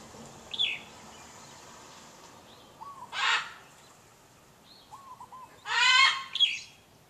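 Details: Household pet bird calling in the morning, loud enough to disturb neighbours; two harsh, grating squawks several seconds apart, with faint softer whistled notes between them over steady background hiss.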